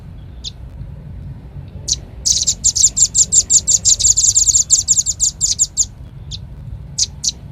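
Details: Velvet-fronted nuthatch used as a lure call: a few isolated thin high notes, then a fast rattling burst of piercing chips for about three seconds, then scattered single notes again.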